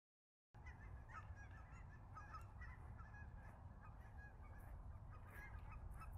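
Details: Cackling geese arriving in waves to land at Billy Frank Nisqually National Wildlife Refuge in February 2023, filmed on a Sony RX10 IV: dense overlapping high yelping honks from a large flock over a heavy low rumble of wind and wingbeats.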